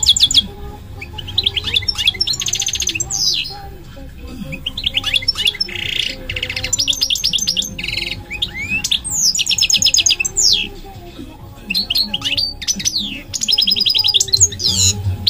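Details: Goldfinch singing a long, varied song of rapid twittering trills, buzzy notes and steep descending slurs in high bursts separated by short pauses, over a low background hum.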